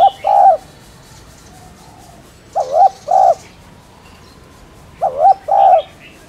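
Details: Spotted dove cooing for stimulating caged doves to coo: three hollow phrases, each a quick wavering note and a longer steady coo, about two and a half seconds apart, with faint high bird chirps behind.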